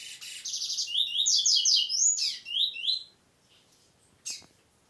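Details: Double-collared seedeater song in the 'prego' style. A fast buzzy trill leads into a rapid series of high, sweeping whistled notes lasting about three seconds. After a short pause comes one sharp chirp over a quiet background.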